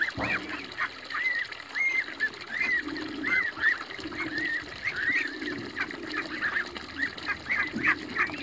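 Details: A flock of young Toulouse geese running in a backyard, calling over one another with thin, high, slurred peeps and nasal honks several times a second above a low, steady murmur.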